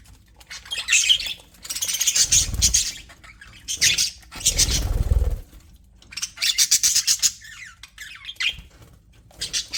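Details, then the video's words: Aviary budgerigars, described as happy, trade loud bursts of high chirps and squawky chatter separated by short gaps; two low rumbling thumps, like movement or wingbeats, also sound. "HAPPY BUDGIES SOUNDS"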